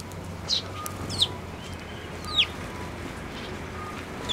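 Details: Sparrow flying onto an outstretched hand to take food, Tenmangu shrine, May 2024: brief, thin, downslurred chirps spaced a second or so apart against steady background hiss.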